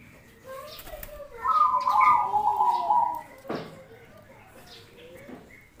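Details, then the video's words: Zebra dove song used for contests and daily listening: one long, warbling, trilled coo of nearly two seconds, followed by a sharp click and quieter faint sounds. "suara perkutut paling bagus buat lomba dan harian"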